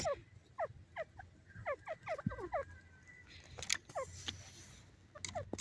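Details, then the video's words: Francolin calling in the wild: series of short, harsh notes sliding downward, delivered in quick bursts with brief pauses, several birds overlapping, a few sharp clicks and low background rumble. "pheasant awaz,teetar sound,partridge teetar awaz,teetar voice"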